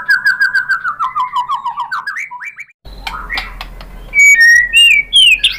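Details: Lure song of a white-rumped shama, meant to set other birds singing: a quick string of even chirps sliding upward into rising notes, a pause with low hum, then high clear whistles and sharp twitters.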